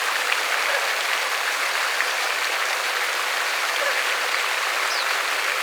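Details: Dense, steady hiss like heavy rain or running water spreads across the whole clip, with no animal calls standing out.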